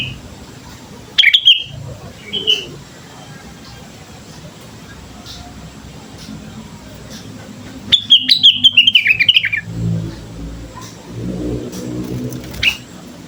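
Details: Sooty-headed bulbul singing vigorously, used as a lure to prompt other birds to sing: a short burst of bright whistled notes early on, then a longer, busier run of rapid chirping whistles near the end, over low background rumble.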